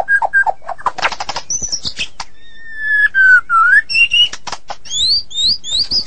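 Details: Medan-type White-rumped shama singing 'gacor': clicks and short whistles, a long level whistle falling into a low slurred note, then high rising whistled phrases.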